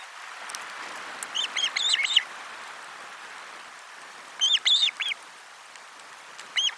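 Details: Osprey at the nest during a lunch fish delivery, 12 July 2022, camera 4; short clusters of shrill whistled chirps spaced by long gaps over noticeable broadband hiss.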